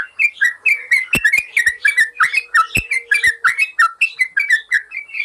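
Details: Yellow-vented bulbul song, meant as a master to get caged birds singing: lively bubbling whistles in quick succession, each note swooping down, punctuated by a few sharp clicks and a faint drawn-out tone.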